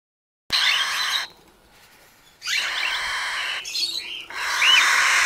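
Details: Three cockatiel chicks, the first brood of a pair, inside a wooden nest box give harsh, raspy, hissing bursts of about a second each, repeated with brief pauses, with a few thin squeaky notes mixed in.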